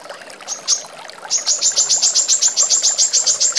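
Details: A female brown-throated sunbird in a master recording for training songbirds gives two thin, very high notes, then a fast, even run of sharp, high chips, about three or four each second.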